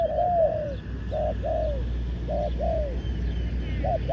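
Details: Decoy dove used to draw in wild doves, giving paired coos: a brief clipped note then a drawn-out falling one, spaced about a second apart over a steady low hum.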